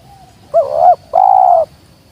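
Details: Wild spotted dove giving one loud, clean phrase: a short wavering coo rising and dipping, a brief pause, then a longer steady throaty coo, over a quiet background.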